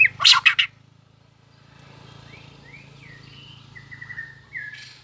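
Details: White-rumped shama in competition singing: a harsh burst of noisy notes opens, then soft slurred whistles rising and falling after a pause, over a steady low hum.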